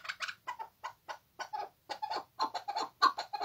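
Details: Chukar partridge giving a rhythmic series of harsh, clucking chuck notes in short bursts that come faster and louder toward the end.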